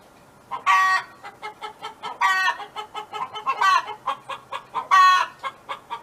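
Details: A neighbour's hen on a farm singing: four loud, drawn-out harmonic squawks spaced over about a second and a half, with rapid soft clucks in between.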